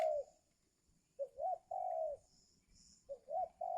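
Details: Spotted dove used for luring wild birds during the giring season; a falling coo ends one phrase, then two full phrases follow of a clipped note, a rising note and a drawn-out coo.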